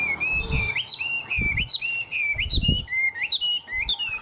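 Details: Caged tame Chinese hwamei performing 'cao cầu' song from a high perch: a run of clear whistled notes, each slurring upward, repeated more than once a second, with dull low knocks in the background.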